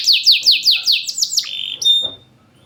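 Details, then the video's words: Champion canary song used as a lure for caged canaries that sing little: a loud, fast series of about eight sweeping downslurred whistles, then a sustained steady whistled note, recorded close with a quiet background. "PANCINGAN KENARI MACET || JEDA RAPET || SUARA LANTANG || SUARA ASLI KENARI JUARA."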